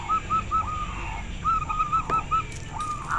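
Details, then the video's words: Local zebra dove with a notably clear voice that gets other birds calling back: spaced, soft, short cooing notes in small groups, separated by brief pauses, plus a faint click. "Suara perkutut lokal sangat jernih - suara istimewa bikin semua nyaut"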